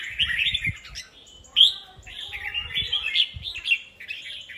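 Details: Three caged red-whiskered bulbuls placed together on a stand, competing against each other in song: dense, overlapping warbled chirps and whistles with sharp rising notes, alongside low soft thumps and knocks.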